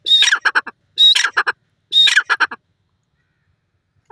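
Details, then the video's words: Grey francolin, known locally as dakhni teetar, calling: three loud, harsh phrases about a second apart, each opening with a high, clear note and breaking into a rapid run of coarse, clipped notes, then quiet. "beautiful dakhni teetar calling,jungli tetar ki awaaz"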